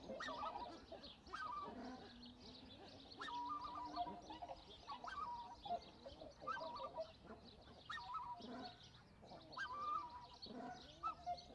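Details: Black-necked swan giving short whistled, slightly wavering calls around one second apart, with a dense chorus of other waterfowl calling and honking throughout.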